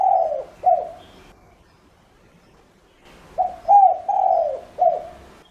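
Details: Spotted dove used as a lure bird, calling to attract other doves: a phrase of low cooing notes, a short coo then a longer falling one, repeated after a pause with four coos in the second phrase.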